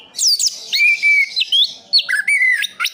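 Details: Orange-headed thrush from Sidoarjo, East Java, in full roll song: loud clear fluting whistles, some level and held, others sharply swooping, strung together with short gaps between phrases.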